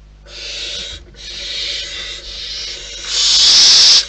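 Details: Barn owls in their nest in the wild, giving harsh, breathy hisses: one burst of almost a second, a longer rasping stretch, then a louder, brighter hiss at the end.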